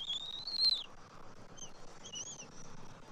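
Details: Bald eagle nest during a morning feeding, January 2024, father delivering fish to an eaglet; one loud, rising thin whistle that drops sharply at its end, followed by two faint, short whistled notes.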